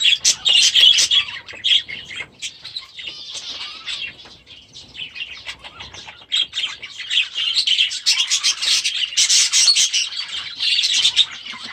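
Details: Last year's baby budgerigars, now grown, settling into a new aviary; a flock gives high chirps and scratchy warbled chatter, quieter in the middle and swelling again near the end.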